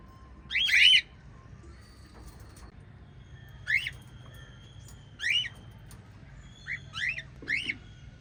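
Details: White lovebirds in a captive parrot family give a loud opening chirp, then spaced rising chirps every second or two, ending in a quick pair of notes, over a faint hum.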